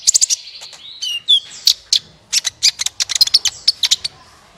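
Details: Lively sunbird song for prompting other birds to sing: rapid bursts of shrill high notes, a brief slurred whistled phrase, then a dense, energetic string of sharp chirps and twitters.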